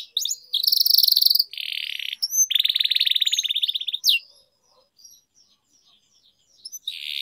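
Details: Canary trained as a long-roll singer (ngerol panjang): extended buzzy and rattling trills pour out in several bouts, split by short breaks, then fade to near silence with faint notes before a final short trill.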